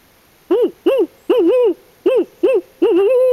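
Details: Barred owl in Swan Valley, Montana, one of a pair answering a person's imitated calls during field work; close, strong hooting in six low, arched notes, the third doubled and the last drawn out, over a quiet background.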